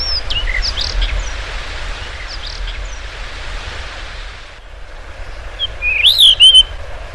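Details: A Blue rock thrush (Monticola solitarius) gives a few faint chirps, then a short, loud song phrase of clear whistled notes that slide up and down, over a steady wind-like hiss.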